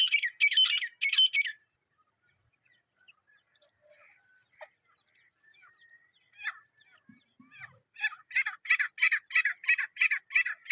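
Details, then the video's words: Partridge (teetar) calling in the wild in jungle surroundings: loud rasping bursts open, followed by a quieter stretch of faint chirps, then a fast, steady series of harsh grating notes about three per second. "Jungle Mein Teetar Ki Asli Awaz | Natural Partridge Sound"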